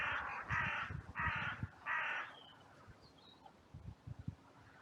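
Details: Crows in a cemetery on a sunny day, caught by a trail camera in a massive outcry after two crows fought briefly. Four harsh, hoarse caws come in quick succession over two seconds, then quieter rustling and soft low thumps.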